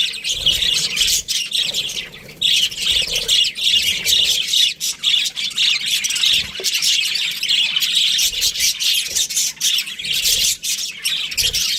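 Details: Australian budgerigars in a breeding pair keeping up a long, continuous stream of raspy high chirps and squawks with little pause.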